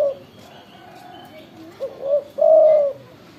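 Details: A single phrase from a loud, eager spotted dove (tekukur): two quick rising notes, then a strong drawn-out coo, preceded by the tail of an earlier coo and a quiet pause.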